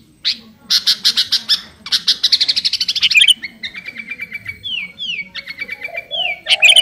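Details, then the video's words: Sooty-headed bulbul, garuda type, in full song aimed at a rival: a fast series of sharp high chirps speeding into a rattling trill, followed by softer sliding whistled notes and a few final bright chirps. "Burung kutilang garuda gacor memanggil lawan"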